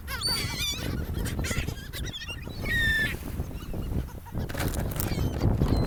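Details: Seagulls on a gulf beach near people: a quick series of high, bouncing, yelping cries at the start, then a drawn-out flat squeal, with more faint cries over rough surf and wind noise.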